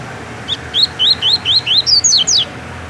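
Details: Tui-tui style song of a caged double-collared seedeater kept by a breeder in Rio de Janeiro: eight bright upslurred whistles in steady succession over two seconds, the final notes pitched higher and falling away.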